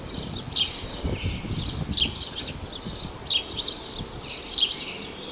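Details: House sparrow at Praia de Pipa, Tibau do Sul, Rio Grande do Norte, Brazil, giving paired and grouped high chirps about once a second, with some low thumps and background noise.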